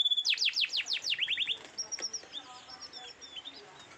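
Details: Canary of AF and Loper cross during mating: a fast series of loud descending whistled sweeps, then quicker short notes and softer scattered high chirps.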